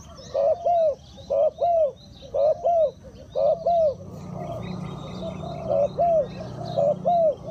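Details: Spotted dove acting as a decoy for wild birds, paired low coos repeated about once a second, broken midway by a burst of rushing broadband noise before the cooing resumes.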